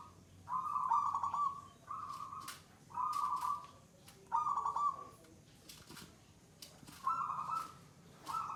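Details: Zebra dove (perkutut) giving gacor, its third-stage song, typical of a settled, unafraid bird singing long bouts of at least two minutes: about six low, trilled cooing phrases of about a second each, coming roughly every 1.2 seconds, with faint clicks between.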